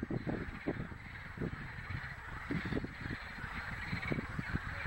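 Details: Eurasian coot on a city-centre pond, 26 April 2022, giving short, harsh, crow-like calls in quick irregular bursts, about a dozen in five seconds, over a steady background hiss.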